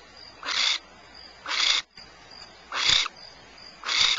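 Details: Barn owls at Starr Ranch, California, giving harsh, rasping hisses, four short bursts about a second apart, with a faint thin insect-like tone between them.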